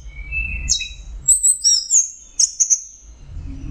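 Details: Orange-headed thrush in mixed song for a songbird training recording: a low buzzy whistle, then high clear whistled notes and a long level tone with sharp chips, over soft rumble.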